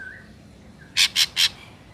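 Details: Ashy drongo, in a natural recording offered as a trapping lure, gives three loud rasping squawks in quick succession after a faint whistled note, with light background hiss.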